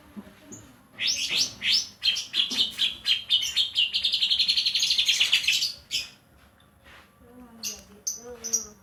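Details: Banyuwangi greater green leafbird with a kapas tembak fill, pouring out a long fast run of shrill chirps that merges into a dense scratchy trill, then eases off into scattered high whistles.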